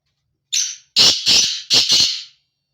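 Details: Breeding call of a male black francolin (kala teetar): one short scratchy note, a pause, then two pairs of loud, harsh, buzzing notes. The phrase lasts under two seconds, and the surroundings are silent.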